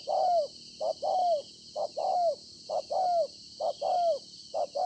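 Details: Spotted dove, a newly caught wild bird, calling on 26 September 2020 with mellow paired coos, a brief note then a drawn-out downslurred one, at a regular rhythm about once per second, with a steady high-pitched drone behind.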